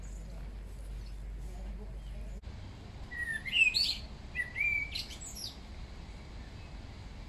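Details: Common Blackbird singing on a walk through Schönbrunn Park, Vienna, Austria: a few short, clear whistled and warbled phrases in the middle of the recording, rising and falling, over faint steady background noise.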